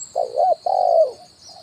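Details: Spotted dove call used as a decoy to lure wild birds, style 'kuk 1', on branch and ground: a two-part coo, a short wavering note then a longer steady hooting note, with a faint high electronic whine throughout.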